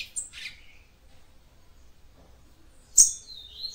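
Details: A captive female yellow-bellied seedeater calls, the call used to stimulate a male: a few thin, high chirps, then after a pause a sharp note followed by a brief slurred whistle; nothing else is heard.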